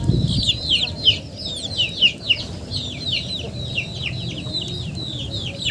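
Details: Chickens calling in a rapid stream of thin, falling peeps, roughly four per second, with a low thump at the start and a steady background hum.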